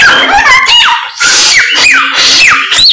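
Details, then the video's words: Energetic, insistent samyong bird song: clear whistled notes that rise then drop sharply, repeated in quick bursts, over a faint steady low hum. "BURUNG SAMYONG GACOR, ADUHAI SUARANYA MANTAP"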